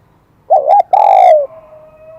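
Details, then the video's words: Newly caught spotted dove with a high, bright voice of the type called kim đồng: two short, wavering coos are followed by one long, clear coo that slowly falls in pitch, with faint hum behind. "Tiếng chim cu gáy giọng KIM ĐỒNG"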